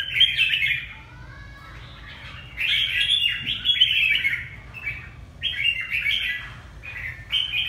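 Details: Red-whiskered bulbul from Ha Tinh, Vietnam, singing a run of fast, bright chirping phrases, several rapid bursts in close succession with brief pauses.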